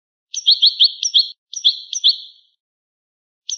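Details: Old recording of European goldfinch song, described as rare and original: quick liquid twittered notes in tight runs, a brief pause, then another short burst.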